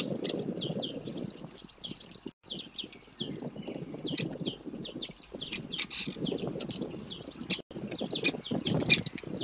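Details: Great spotted woodpecker (Dendrocopos major) nestlings begging to be fed at feeding time: a rapid, high chittering chorus of short repeated calls over a steady low rustling and scraping.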